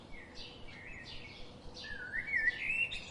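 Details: Bird chirps in quick succession, then a louder whistled phrase that rises and trills over the last second, over a steady hiss.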